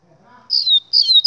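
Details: Faint low murmur, then a double-collared seedeater bursts into two bright, high, buzzy slurred phrases, ending abruptly on a sharp click.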